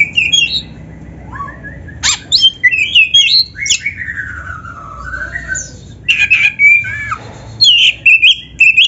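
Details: Black-breasted magpie-robin singing hard, mixing canary phrases into a varied stream of whistles, long descending slurred notes, buzzy trills and sharp chips, with short pauses. The recording serves as a master song to prompt other birds.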